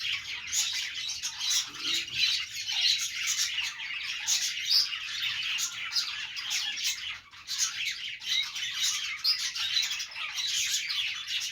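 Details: Morning routine of pet budgies, Australian parrots making happy sounds: long run of rapid chirping, scratchy warbling and brief squawks that dips briefly around seven seconds before picking up again.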